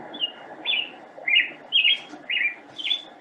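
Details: A recording of a Black-headed Grosbeak song, played during a talk on California oak woodlands, gives a run of rich, whistled, rising-and-falling phrases, about two each second, over a low room hum.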